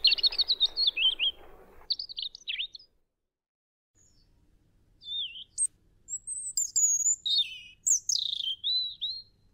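A European robin sings thin, high, liquid phrases of quick warbles and sliding whistles, broken by a brief pause before a more varied burst.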